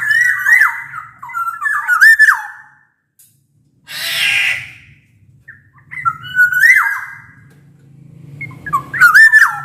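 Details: Shrill, flute-like singing of a black-naped oriole, used as a lure for silent orioles: several liquid whistled phrases with a single harsh mewing rasp between them, over a steady low hum.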